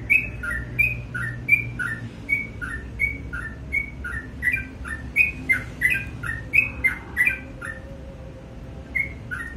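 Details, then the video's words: Sooty-headed bulbul singing in the morning: a steady run of paired notes, a short bright whistle followed by a lower slurred note, about a dozen phrases in under ten seconds, with faint sharp ticks above and low background hum. "BURUNG TRUCUK GACOR DI PAGI HARI"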